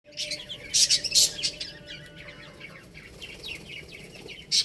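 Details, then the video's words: Baby chickens at play, a chorus of high, thin chirps overlapping in quick, uneven bursts, with a few louder sharp peeps near the start and end. "Cute Little Chicks Chirping Sounds"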